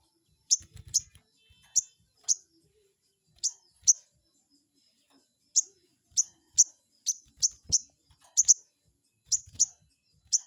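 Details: Lure calls of a crested jay meant to make a rival respond: short, piercing high chirps, some doubled, in irregular bursts, with a few faint low thumps.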